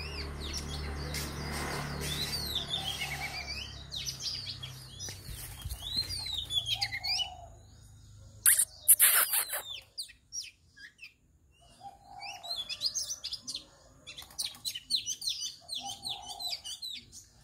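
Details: Female Oriental magpie-robin serving as a decoy in a home trap: bright, high whistled notes and chirps in bursts, broken by a loud rattling clatter midway and a quiet gap before the song resumes.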